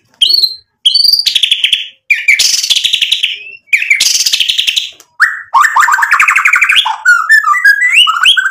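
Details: Murai batu (white-rumped shama) in provocative lure song: harsh, buzzy rasping phrases alternating with short whistles, delivered in distinct bursts, then a closing run of jumbled varied notes.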